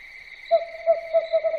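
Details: Owl hooting at night in a short, even string of five clipped notes on a single pitch, with a steady shrill hum behind.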